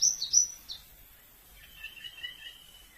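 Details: Javan bush lark from Kulon Progo: a few bright high chirps open, then a softer thin warbling phrase drifts lower and wavers for the rest of the clip, with faint background hiss.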